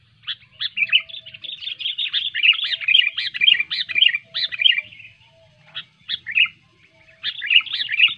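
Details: Sooty-headed bulbul singing clearly, as a lure for birds reluctant to sing: dense, bubbling, warbled whistles in rapid succession for about five seconds, a brief gap, then more liquid phrases.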